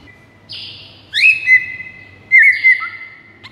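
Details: White-rumped shama master song used as a lure for rival shamas: two separate bright whistled phrases, each a long level whistle with a short flourish, over a quiet background.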